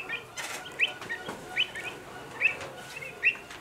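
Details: Pied avocets alarmed by common cranes near their young at a lakeside at Slimbridge; sharp upslurred piping notes at irregular intervals, with fainter overlapping calls and some rustling in the background.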